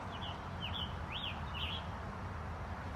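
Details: Scarlet Tanager, a rare sighting in Regina, Saskatchewan, Canada, sings four short, slurred up-and-down phrases, fairly high, in quick succession, over a steady low rumble of wind or distant traffic.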